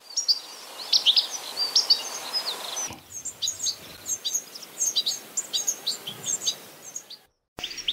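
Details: European goldfinch song: a rapid, high tinkling run of chirps and short trilled notes, bright and busy throughout, with a brief break and a cut near the end.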